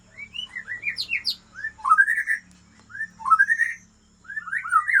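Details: White-rumped shama, a breeding bird of original Aceh stock from Lamteuba, sings loud whistled phrases of rising and falling slurred notes. The phrases come in bursts separated by short pauses, with a faint low hum underneath.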